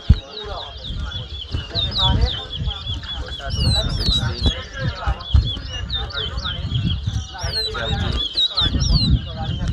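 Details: Competition whistling of a chestnut-bellied seed finch (towa towa) at Mahaica, Guyana, 2022: a steady run of short, curling high whistles repeated rapidly, accompanied by constant crowd murmur and voices.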